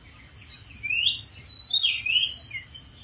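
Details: Oriental magpie-robin in the wild, perched on a dead tree, delivering a rich, varied phrase of rising and falling sweet whistles and slurred notes, with a thin steady high-pitched hum in the background.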